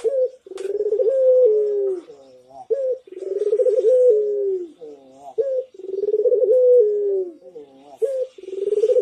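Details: Barbary dove in lively manggung-style cooing, a master recording meant to make other doves answer: low, mellow rolling coos, each phrase a throbbing rise then a drawn-out falling note, repeated roughly every two and a half seconds.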